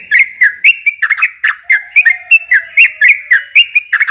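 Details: Yellow-vented bulbul in fast, continuous song used to lure young birds; bubbling notes repeat about four per second, with a faint lower hum drifting in midway.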